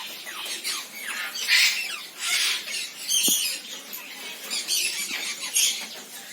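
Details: Senegal parrot calling in loud, rasping squawk bursts about once a second, each a broad screechy blast with brief quieter gaps; a single sharp click is heard midway.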